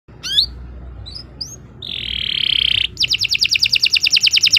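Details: Canary song used as a training model for young birds: a few rising whistled notes, then a bright steady buzzy trill, ending in a fast series of rapid repeated ticking notes.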